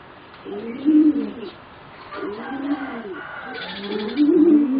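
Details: Three arched, rolling coo phrases come from young competition singing zebra doves aged around 3.5 to 4 months, the final phrase loudest and wavering, with a short buzzy burst of background noise.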